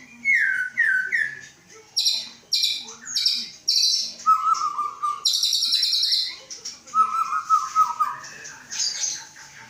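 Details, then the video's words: Captive white-rumped shama from Aceh, Indonesia, hatched 23 August 2012 and readied for breeding, giving descending whistled notes, loud buzzy high rattling bursts and rich warbled phrases in varied sequence. "Murai batu aceh"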